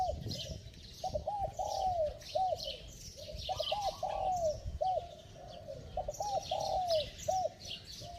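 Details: Bell-voiced spotted dove doing fast cooing to stimulate wild-caught birds: three phrases of two or three short hooked notes and one long descending coo, repeated roughly every two and a half seconds over a persistent high hiss.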